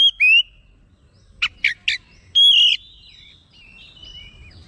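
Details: Oriental magpie-robin (kacer) roused into agitated response, displaying its learned song phrases; a few loud whistles, three clipped chattering notes, then a long sweeping whistle fading into soft distant warbling.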